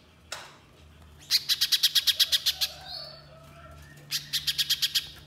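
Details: Little spiderhunter song played as a lure: after a single click, a fast series of about eleven piercing, high notes, a pause with a faint thin whistle, then another run of about eight, over a steady low hum.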